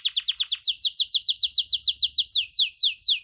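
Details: White and crested canaries singing: a steady series of about twenty bright upswept whistled notes, each rising sharply, repeated several times a second and slowing slightly near the end, clear with a faint low rumble.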